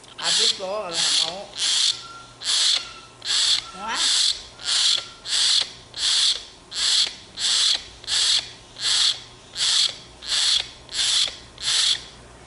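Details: Young common hill myna cranky for bread gives a long, even run of about seventeen harsh rasps, with brief wavering tonal notes and a thin steady whistle in the opening seconds.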